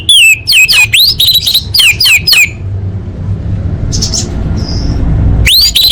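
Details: Lure song of an orange-headed thrush meant to start caged birds singing: a rapid string of bright, slurred whistled notes lasting over two seconds, a quiet gap with faint chirps, then the phrase starting again, with low hum.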